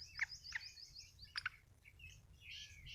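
A black francolin gives harsh, grating, clipped notes in a rough rhythm, about three in three seconds, over a run of thin, high chirps.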